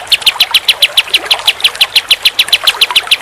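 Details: Rapid tembak-style song of a pied triller: sharp, high, chipping notes repeated quickly and evenly, several per second, loud and close.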